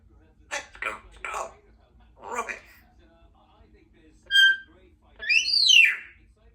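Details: Two-year-old female Congo African grey parrot kept as a pet in a country home, chattering while her owner gets lunch: several short spoken syllables indoors, then a clear whistled note and a rising-falling squawky whistle.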